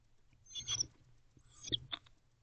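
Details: Pair of owls allopreening inside a nest box at 2:07 am on 8 November 2023; two short bursts of high, scratchy chittering about a second apart over a steady low electrical hum.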